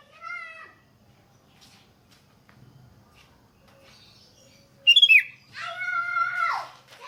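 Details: Sooty-headed bulbul singing, offered as a lure to set other bulbuls off: a burst of bubbly, liquid whistled notes near the middle, with lower drawn-out harmonic calls before and after and soft background rumble.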